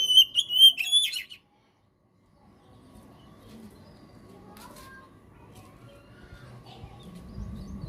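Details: Oriental magpie-robin (kacer) singing 'gacor', a training and trigger recording for birds that have stopped singing. A quick run of high, clear whistles and twittery notes opens the recording, followed by low background noise and faint distant sounds.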